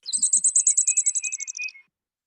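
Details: Downy Woodpecker whinny on the Elon University campus, North Carolina, USA: a rapid run of about fifteen sharp, high notes over nearly two seconds, sliding steadily downward in pitch, unlike mockingbird imitations there, which hold steady.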